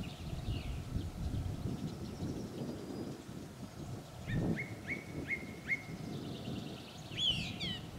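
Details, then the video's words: Song thrush at Gajary, Zohorský kanál, 18 April 2024, taken on a Sony Handycam FDR-AX53: four sharp identical notes repeated in quick succession, then a higher twittering burst, over distant birdsong and a continuous low rumble. "Drozd plavý, Turdus philomelos, Drozd zpěvavý"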